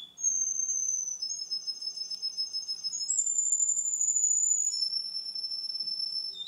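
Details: A male Russian canary sings long, high, even rolls, each held a second or more before jumping to a new pitch, alone over a faint background hum; recorded two months after an earlier recording of the same bird.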